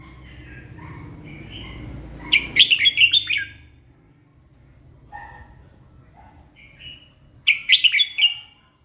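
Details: Morning singing by a red-whiskered bulbul: soft scattered whistles lead into a loud, staccato phrase of rapid warbled notes. More quiet whistles follow before a second emphatic, choppy phrase.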